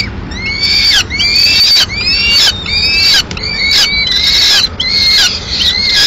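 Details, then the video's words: Female peregrine falcon reaching the nest in Madrid with pigeon remains, mid-morning; loud, rasping wails with downward-curving ends, delivered in irregular bursts about every half second, some overlapping. "Halcón peregrino"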